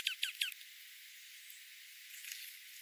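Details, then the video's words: Dark-eyed juncos in winter oak woodland at 1000 feet in the central Klamath Mountain foothills, golden-crowned sparrows and spotted towhees nearby; three sharp, high downslurred chips in quick succession, then steady high-filtered hiss. "Dark-eyed junco"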